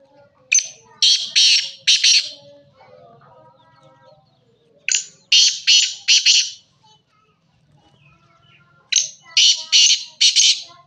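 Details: Black francolin repeating its grating call three times, about every four seconds. Each phrase is a short lead-in note followed by three or four harsh rasping notes, with quiet pauses between.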